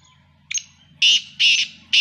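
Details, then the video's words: Black francolin: a short clipped note, then harsh, rasping notes, each about a quarter second long, repeated at roughly half-second intervals. "Sindhi Teetar Black Teetar ki Awaz Kala Teetar Ki Video."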